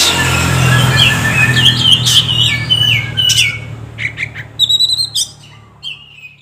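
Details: Oriental magpie-robin lure song meant to get birds singing: whistled notes and squawks over a noticeable low hum, growing sparse with scattered high chirps toward the end.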